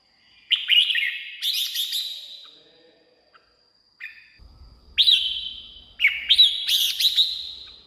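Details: Red-whiskered bulbul song played to excite caged birds or lure wild birds: bright, slurred whistled phrases with rapid chattering notes, given in bursts separated by short pauses, with faint low rumble in the background.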